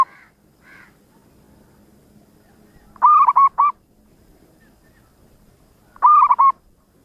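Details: Actively singing local zebra dove: two faint soft notes, then two loud cooing phrases of three clipped, warbling notes each, three seconds apart, with a low hum underneath.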